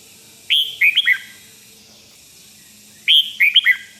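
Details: Two identical phrases of the red-whiskered bulbul's 'rik' song, each four loud, liquid whistled notes dropping in pitch, separated by a faint steady hiss; played to excite other birds.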